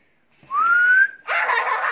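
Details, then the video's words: Hand-tame African grey parrot: a clear, pure whistle that rises slowly for about half a second, then a brief pause and a harsh, breathy, hissing burst like a rough spoken sound. "African Grey talking"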